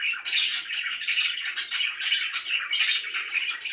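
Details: Pet budgerigars described as very happy give nonstop high, scratchy warbling mixed with sharp chirps and the odd squawk, a busy overlapping stream of sound.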